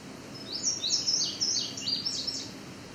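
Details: A male indigo bunting sings a high, bright run of paired, sweeping downward notes for about two seconds over faint hiss, in edge habitat near Otter Lake, Cape Chin North, Ontario, on July 17, 2019; a second male is also nearby.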